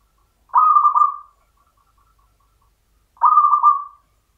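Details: Champion local zebra dove with Mataram-style rhythm: a mellow, rolling coo phrase of three stuttered notes, a long silent gap, then the same phrase repeated, clean and without background sounds.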